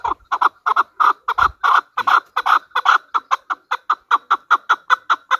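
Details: Chakor, the chukar partridge of Pakistan, kept as a hunter bird, gives an even, insistent series of loud clucking chuck notes, nearly three each second, keeping a steady rhythm throughout.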